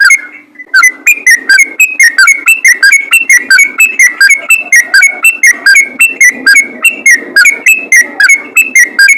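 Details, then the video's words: Sooty-headed bulbul in rapid, chattering 'ropel' song, meant to call other bulbuls so they sing more; loud, harsh, slurred whistled notes repeated about four per second after a short opening tone. "BURUNG TRUCUKAN ROPEL GACOR||MEMANGGIL TRUCUKAN LAIN AGAR RAJIN BUNYI"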